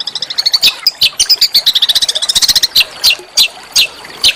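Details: Rough, melodious small songbird song used to train and trigger oriental magpie-robins: rapid high chattering twitter that breaks into slower, separate sharp strident notes near the end.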